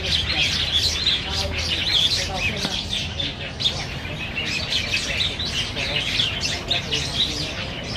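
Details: Black bulbuls fighting over banyan figs at Niaosong Wetland Park on 4 November 2015, filmed with a Canon PowerShot SX700 HS; a dense, noisy chatter of high chirps, with occasional harsher squawky notes.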